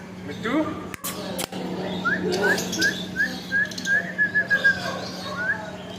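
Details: Repeated short rising whistled notes from a pet parrot, about eight in quick succession, while a person keeps calling a name; two sharp knocks early on.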